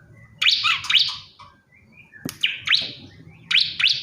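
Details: Bar-winged prinia, a male calling a female, gives sharp upward-sweeping chirps in pairs, a short gap, then further paired chirps, over a low background hum.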